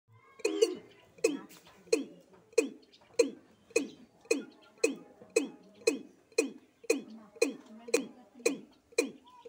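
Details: Watercock, known locally as kora or kura, from Sylhet: a steady series of about sixteen deep, hollow notes, roughly two per second, each with a sharp onset and a falling tone, with faint background clutter.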